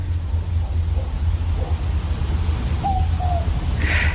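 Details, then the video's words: Southern Boobook in the hills of the Dandenong Ranges near Melbourne, Australia, just starting to call half an hour after sunset; faint soft notes early, then a clear two-note 'boo-book' hoot, with a brief noise burst at the end and low rumble. "It's also known as a mopoke because it sort of says mopoke, mopoke,"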